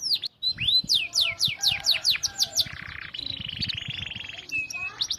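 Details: Canary song played nonstop for training other canaries: rapid series of high downslurred whistles, then a buzzy rolling trill and a sustained metallic trill, ending in fast high chips; faint low thumps underneath.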